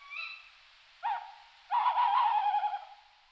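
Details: Tawny owl hooting at night near houses: a drawn-out hoo, a pause, a short hu, then a long wavering, tremulous hoooo, all fairly low and mellow, against a quiet background.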